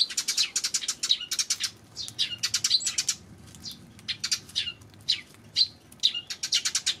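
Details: June 19 recording of a Eurasian tree sparrow: bursts of quick, bright chirps in clusters, a lull in the middle, then more scattered single chips and a closing rapid burst.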